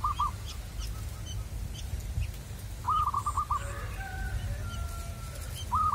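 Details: Local Indonesian zebra dove (perkutut), wild-caught type: short bursts of rapid, evenly spaced cooing notes, one long rolling phrase mid-way plus brief phrases at start and end, over steady low rumbling background noise.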